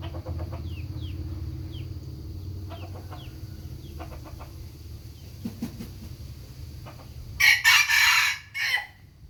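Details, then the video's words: Rooster crowing briefly near the end as a loud, harsh, broadband burst lasting about a second, after several seconds of quiet background with faint chirps from small birds and a low rumble. "suab qaib qua zoo nawb"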